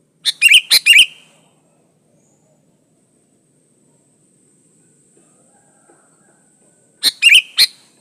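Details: Pure sooty-headed bulbul song for luring other bulbuls to sing: a quick bubbly phrase of four or five sharp, rich notes, then a long silence of about six seconds before a similar phrase returns.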